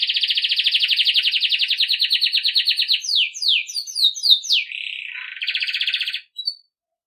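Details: Belgian canary in campainha style, recorded for training young birds: a long regular pulsing trill, then a quick string of descending whistled slurs, a lower warble and a final buzzy trill.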